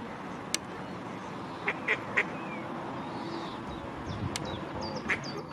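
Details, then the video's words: Female mallard at Strandbad Blies in Ludwigshafen am Rhein giving three short nasal quacks in a quick run, then a single quack after a pause, against constant low rumbling background noise. "Mallard Duck Female calling / Stockente Weibchen am Quaken"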